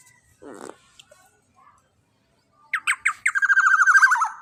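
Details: Young large-bodied black-naped oriole, loud, recorded as a master for training other birds: three harsh descending notes, then a fast raspy chattering run for about a second; a brief nasal sound and clicks come earlier.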